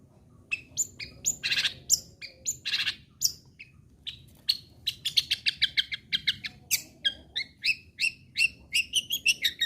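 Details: Long-tailed shrike singing loudly, used to provoke other shrikes into continuing to sing; varied mix of harsh buzzy bursts, short chirps and sharp rising notes in quick irregular sequence, with a quiet low hum beneath.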